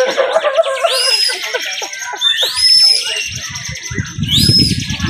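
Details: Contest bar-winged prinia song in the sustained 'bren' style: loud upward-swooping whistles roughly every one and a half seconds over busy high trills, with low rumbling crowd noise near the end.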